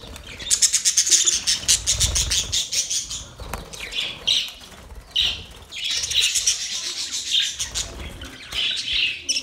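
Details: Budgerigars making a mating sound: long runs of fast, rhythmic high chirps pulsing several times per second, broken by brief pauses and scratchy warbles, with a faint low thump early on.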